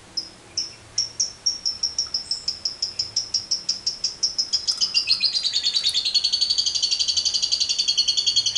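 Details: Lovebird, a caged bird used as a training lure: sharp high chirps that speed up into a long, continuous, rapid rattling ngekek trill.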